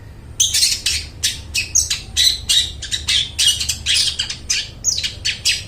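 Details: Long-tailed shrike singing in full voice, offered as a lure for mute shrikes: a rapid, continuous chatter of harsh, scratchy notes, several per second, with occasional brief whistled inflections, against a low steady hum.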